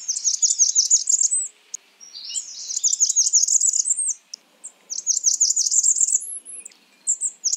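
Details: Blackburnian warbler calling in three quick bursts of high-pitched, thin, buzzy-edged notes, each series a little over a second long, separated by short pauses, with a sharp high upward slur near the end; background quiet.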